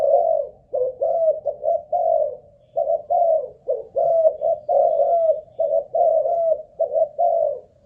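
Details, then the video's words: Spotted dove, Malaysian strain, a caged ground decoy bird checked for song endurance, coos almost without pause in a long run of mellow, slightly burred notes grouped in twos and threes. "Cu Gáy Mồi Đất || Test nước bền chim cũng thấy khá ổn"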